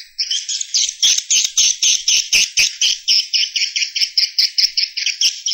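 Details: Roosting call of swiftlets: continuous high, rapid twittering in regular pulses, roughly four per second, with sharp clicking ticks scattered through the first half.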